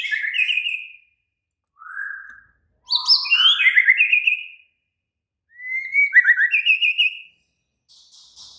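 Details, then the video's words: Excited, agitated white-rumped shama delivering loud melodious whistled phrases, several ending in rapid pulsed trills, in bursts of about one to two seconds separated by short silences. "Murai batu langsung EMOSI TERPIKAT suara murai batu ngamuk AKTIF"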